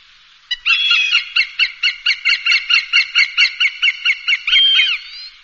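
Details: Hawk calling, used to drive birds away: a rapid, steady chatter of about fifteen harsh nasal kek notes, roughly three a second, closing with a longer rising cry.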